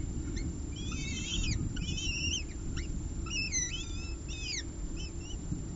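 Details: Peregrine falcon nest in Orange, 30 September 2018: the female tears prey the male brought and feeds two eyases. Scattered high, slurred whistled notes come in loose groups, with a steady low-frequency rumble beneath.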